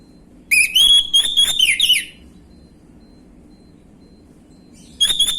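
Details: Orange-headed thrush in the gamblingan song style, played to lure young birds into responding: a loud, rich whistled phrase of jumbled, stuttering notes lasting over a second, then silence, then a new phrase starting.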